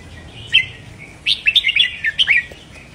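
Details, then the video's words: Red-whiskered bulbul kept in a cage, singing doubled phrases meant to stimulate other caged birds: one clear note, a pause, then a rapid bubbling phrase of about six sweet whistles rising and falling. "เบิ้ลอาชีพ!! เสียงโคตรชัด ทรงอย่างหล่อ!! เสียงร้องกระตุ้นนกกรงหัวจุก"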